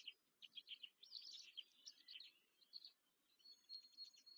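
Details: Black stork (Ciconia nigra) young begging as they are fed at the nest, Łódź, Poland, May 2023: a short run of squeaky, rasping chirps, then thinner high whistled notes as it fades.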